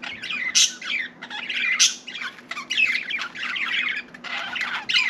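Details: Pet budgie in a small room giving dense, busy chatter: harsh squawky notes, rapid warbles and piercing high chirps, hardly pausing over five seconds.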